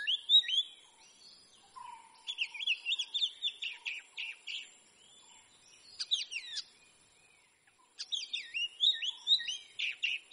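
Oriental magpie-robin singing a varied run of sweet, fluty whistles and quick chattering notes in bursts with short pauses, plus a faint low whistle.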